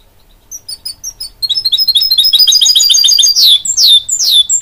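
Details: Goldfinch-canary hybrid mule, bred from a goldfinch and a canary, singing: sparse high chirps open, then a dense rapid twittering run with sweeping downslurred notes near the end.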